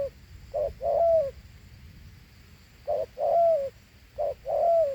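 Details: A big Thổ Hú spotted dove gives its two-note gù coo, a brief note followed by a longer down-slurred one, with a pause of about a second and a half between the first pair and the next two.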